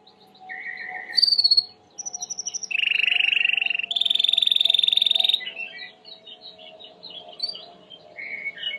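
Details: Singing Timbrado canary, white plumage, clean training song: short bright phrases lead into two extended rolling trills, one lower and one higher, then softer twittering; a faint steady hum underneath.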